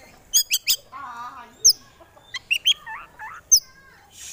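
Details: Oriental magpie-robin, a contest songbird, showing off its full repertoire of fill-in phrases: three sharp high chirps, a low buzzy harmonic phrase, then scattered bright notes and wavy mid-pitched trills.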